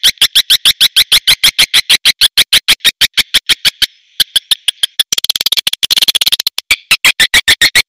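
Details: Rapid, regular train of high, shrill swiftlet chirps at about three per second, with a short pause, a faint steady whine, then a faster rattling run before the steady chirping returns.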